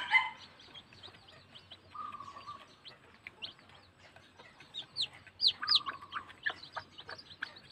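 Day-old bantam chicks give a steady chorus of thin, high peeps, several overlapping, with a few longer cheeping notes sliding down in pitch.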